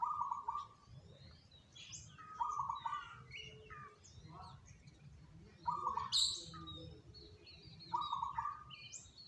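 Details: Zebra doves, three birds chosen as the most diligent singers, give a short, rolled, trilled coo about every two to three seconds, four phrases in all, mixed with busy, high twittering and chirping from other birds.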